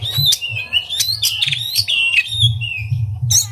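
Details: Singing oriental magpie-robin, song meant to excite other magpie-robins into singing: rich, varied whistled notes, sliding and warbled phrases broken by sharp clicks, over a low thumping hum.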